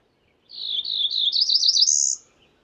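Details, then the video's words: Single complete song of a Cerulean warbler: about one and a half seconds of quick, buzzy notes climbing steadily higher into a thin, high trill at the end, in a quiet setting. "Cerulean warbler Calling"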